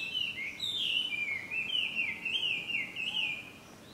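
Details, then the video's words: Song of a Chinese hwamei at Ikimono Fureai no Sato, Japan, June 2020: a continuous run of clear, wavering whistles that climb and dip in a rolling pattern, fading at the end. "ガビチョウ/Garrulax canorus"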